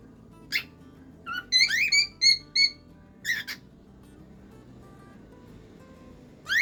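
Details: Cockatiel singing a mix of sharp chirps and a sequence of short, level whistled notes in quick succession, followed by a pair of chirps and a final rising call, with soft music in the background.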